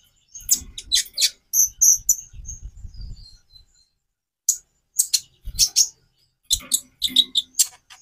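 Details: Van Hasselt's sunbird (konin) song: sharp, very high chips and short tweets in quick bursts, pausing silently midway, with low thumping handling noise underneath.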